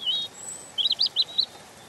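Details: A falling whistle, then four quick arched high notes in a row from a European robin, each a brief rise and fall, with a faint very high thin tone above.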